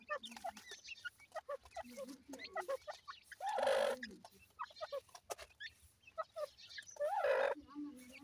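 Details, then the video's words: Partridge chicks playing: a steady scatter of thin, high chirps and peeps, twice swelling into louder, drawn-out wavering calls, with tapping and rustling throughout. "partridge bird chicks playing"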